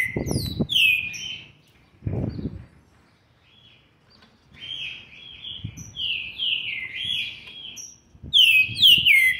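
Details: Young green-winged saltator, seven months and 20 days old, recorded 13/11/2020, singing bursts of loud, clear, downslurred whistles, with a strong burst at the start, a long rich phrase in the middle and a final flourish; low thumps and rustling between phrases.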